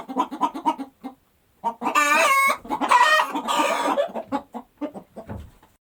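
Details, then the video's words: Farm chicken clucking in short, quick notes, then a long, harsh, rising squawk with strong harmonics, followed by softer scattered clucks. "Chicken Sound on the Farm"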